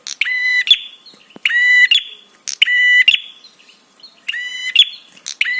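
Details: Prinia calling to set off replies and arousal in other birds: repeated nasal, rattling buzz notes, roughly one per second, each around half a second long, with a brief pause midway.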